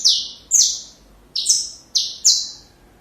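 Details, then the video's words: Saffron finch tutoring song for young birds: five bright, high, falling notes in about three seconds, the first two spaced, the last three closer together, each fading quickly, with no other sound. "Canário da Terra Canto Perfeito Para filhotes"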